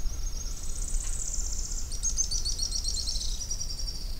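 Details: Araucaria tit-spinetail delivering a long, very high, buzzy trilled song. It runs almost continuously for over three seconds, with a slight break and a brighter restart midway, over steady low rumbling background noise.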